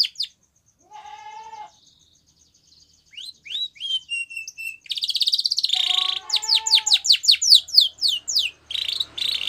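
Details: Spanish Timbrado canary, a white bird, singing a training song for young canaries: a soft low warble first, then rising whistled notes and fast rattling trills, ending in repeated sharp downward-sweeping chips.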